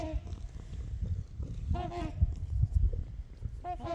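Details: Trumpeter swans on Horseshoe Lake, heard from the beach, give low, nasal, horn-like honks in three brief bursts about two seconds apart, over a steady low rumble of wind; geese and other songbirds may be calling in the background.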